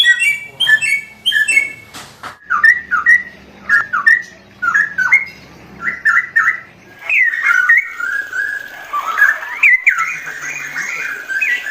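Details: Straw-headed bulbul (cucak rowo) singing in the rapid 'ropel' style, with loud liquid, bubbling whistled phrases that dip and rise, delivered in short bursts about every second. Higher, thinner notes from another bird open the recording.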